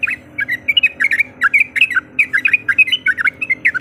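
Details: Rapid chattering bursts from a female yellow-vented bulbul calling a male, used to provoke a rival; bubbly rolling notes in quick groups over a low droning hum.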